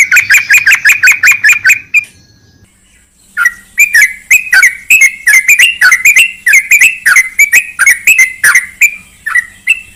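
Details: Sooty-headed bulbul, played as a lure to coax singing from a bulbul that has gone quiet: long stretches of rapid, ringing chattering notes, briefly interrupted by a short silence, then resuming and running steadily to the end.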